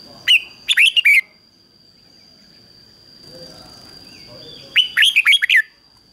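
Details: A red-whiskered bulbul kept as a decoy, singing to lure wild bulbuls to fight, gives two bursts of bright, bubbly whistled notes, four or five quick phrases each, with a steady high electrical whine underneath.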